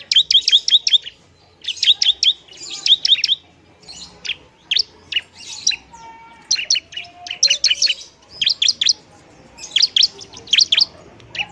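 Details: Bar-winged prinia used to provoke other prinias, singing loud bursts of rapid, sharp high notes and short trills repeated in clusters, with brief pauses and a faint lower whistle midway.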